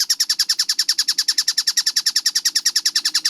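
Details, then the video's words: Fast-tempo kingfisher (tengkek buto) song for training: loud, sharp, high chattering notes about nine per second, evenly spaced and unchanging, with a faint steady hum below. "MASTERAN TENGKEK BUTO GACOR SUARA JERNIH SPEED RAPAT"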